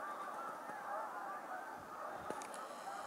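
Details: Canada geese at Appleton Farms in January 2016, after hundreds suddenly took flight; quieter, more distant honking with separate nasal calls audible over a soft background hiss and a brief clicking sound.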